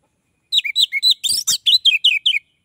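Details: Singing orange-headed thrush, its call meant to attract other orange-headed thrushes: about ten rapid, descending, whistled-chirp notes in under two seconds.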